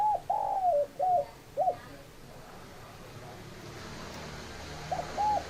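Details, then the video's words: Spotted dove coos: a quick series of short hooked notes, then a long silence with faint distant traffic-like noise and a final pair of coos at the end. "Tổng hợp tiếng chim cu gáy"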